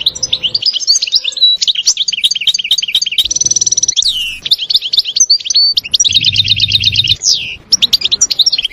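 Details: Wild European goldfinch in a forest, singing a long, lively twittering song of quick liquid chirps, buzzy trills and sliding notes, with a faint low hum partway through.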